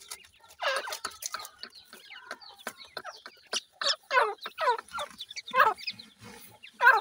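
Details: Chicks of the grey francolin utter repeated rough, descending notes at uneven intervals, about one every half second in the second half, over a background of faint clicks and chatter.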